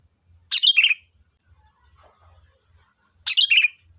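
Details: Sooty-headed bulbul in full voice, used to draw answering birds: two bright, rapid chirped phrases roughly three seconds apart, each tumbling downward, with a faint soft note between and a constant high whine.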